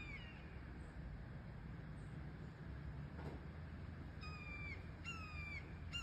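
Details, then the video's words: Young red-tailed hawks calling at Sugar Beach in Leo, Indiana: after four seconds of low background rumble, two slurred, downward-sliding harsh screams sound about a second apart. "Baby red tail hawks making bird sounds"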